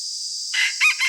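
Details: Red junglefowl decoy bird crowing in the morning: a short broken crow of two or three hoarse syllables in the second half, over a steady high-pitched insect drone.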